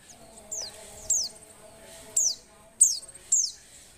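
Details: Female Oriental white-eye in breeding condition, calling to stir males to sing: thin high downslurred notes, about five spaced irregularly over four seconds, with faint background hum.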